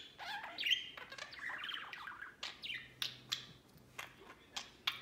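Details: Pet budgerigars playing outside the cage; an opening burst of chattering warble, then short sharp chirps and clicks spaced roughly every half second.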